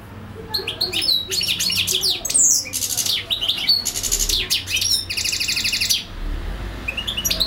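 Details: Nonstop European goldfinch song: quick liquid twitters and clicks interleaved with dense buzzy rattles, ending in a short pause before faint notes resume; low background hum.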